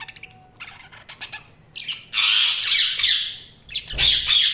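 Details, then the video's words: Budgies chirping, beginning with soft scattered squeaks before swelling into loud, harsh, buzzy squawking bursts with a few sharp chirps between them. "Budgies Soundsq Chirping sound"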